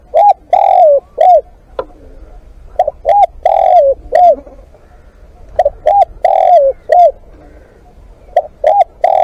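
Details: Spotted dove calling as a live decoy, four repeated phrases of short coos and a lingering falling croon, spaced about two and a half seconds apart, steady and clear.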